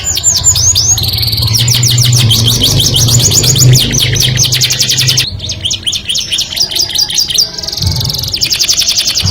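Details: Canary song aimed at the opposite sex: long runs of quick repeated high notes, about two or three per second in groups, over a steady low hum during the first half.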